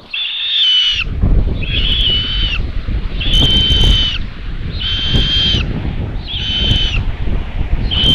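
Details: Common buzzard chicks begging at a solar-powered live nest camera in Tiszalök, Hungary, as a parent brings food at lunchtime on 27 May 2022; drawn-out, high scratchy calls repeat about once a second over steady low wind rumble.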